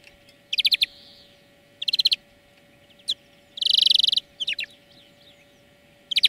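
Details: European greenfinch song recorded as a song lesson for training birds: short bursts of rapid metallic trilled notes separated by pauses, then a long buzzy wheeze, with a faint steady hum underneath.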